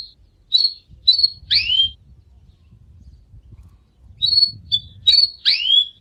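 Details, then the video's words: Canary singing short bursts of high whistled notes and sweeping chirps, two phrases separated by a quiet pause with a faint low hum in the background. "لا تحرم كنارك من الغناء إجعله يغرد بشكل دائم فقط دقيقة وراح يغردcanary snging bird"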